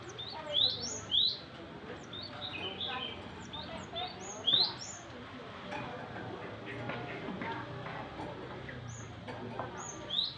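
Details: A young Java sparrow, said to still show some green, gives high, bright, clipped chips. They come in loose bursts throughout, some loud and piercing, over steady background chatter.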